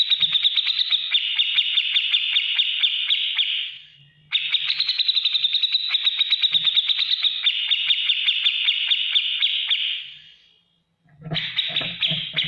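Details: Long rapid ticking runs from a grey-cheeked bulbul singing the lively ngetik ngipik style used to train other cage birds, two sustained trills separated by a pause and ending with a rougher burst.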